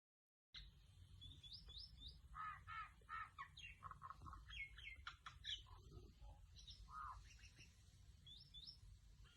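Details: A female myna runs through a varied medley of harsh chattering notes, clicks and clear whistles, changing sound every second or so, over a low background rumble.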